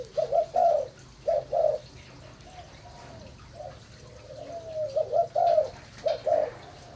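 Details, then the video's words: Breeding spotted dove of the Malaysian type giving low, hooting coos in short paired bursts, repeated with brief pauses, over a faint steady low hum. "Cu gáy malai sinh sản"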